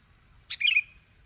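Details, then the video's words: Sooty-headed bulbul song used as a lure: one brief bubbly phrase of a few warbled notes, with a steady high electronic whine throughout. "Suara pancingan burung kutilang"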